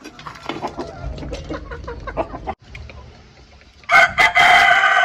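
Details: Chickens in a backyard poultry setting. Low, murmured clucks repeat rapidly at first. After a brief pause, loud, harsh, harmonic squawks burst out and continue to the end.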